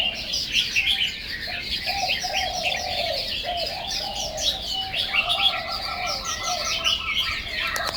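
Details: Chinese hwamei in full song, rapid varied whistled phrases pouring out continuously; a lower sustained whistle runs below, and a short steady tone joins near the end.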